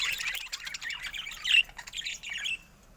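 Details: Pet budgerigar chatter: a short, dense burst of harsh squawks and warbled chirps that stops abruptly after about two and a half seconds.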